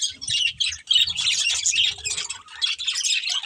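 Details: A family of budgerigars chattering together: rapid high chirps and warbling notes tumble over one another in bursts, with soft low thuds of movement underneath.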